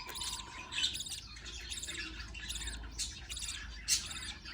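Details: Budgerigar babies being fed by a parent utter a rapid run of scratchy, high squeaks in clustered bursts, with a faint steady tone and low hum behind.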